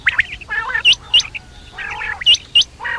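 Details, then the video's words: Night call of quail (batair): sharp hooked squeaks alternate with rougher, buzzy squawks. About six bursts sound in three seconds, with nothing else clearly heard. "batair rat wali awaz"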